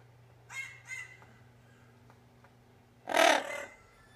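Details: Indoor male Double Yellow-headed Amazon responding to recordings of his own voice: two faint short harmonic calls early on, a quiet pause, then one loud raspy squawk near the end, with a constant low hum beneath.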